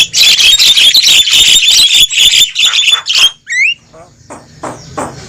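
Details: Javan myna's boisterous lure call for drawing wild birds into a trap: about three seconds of dense, grating squawks, then a short upward-sliding whistle and scattered softer rasps.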